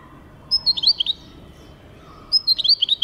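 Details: European goldfinch, 2023: two short bursts of high liquid twittering, each a quick cluster of bright chirps, separated by over a second of quiet background hiss.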